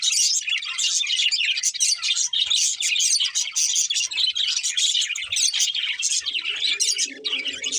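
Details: Budgies singing while feeding: a steady, crowded warble of sharp tweets, clicks and trills from several birds, with a low, droning hum joining near the end.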